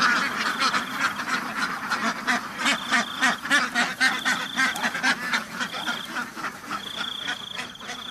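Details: Many farm ducks give choppy, pulsing quacks in waves. A thin, steady high whistle-like tone sounds on and off in the background.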